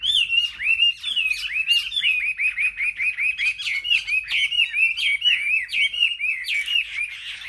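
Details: Caged Chinese hwamei in a singing contest, pouring out loud, rich whistled phrases with slurred rising and falling notes about twice a second, overlapping with other birds singing nearby.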